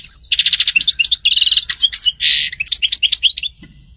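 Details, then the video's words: Close, loud European goldfinch song: a rush of liquid twitters, buzzy trills and chirped slurs packed tightly for about three and a half seconds, then a short quiet tail. "غناء عصفور الحسون سطيلة ام قنين"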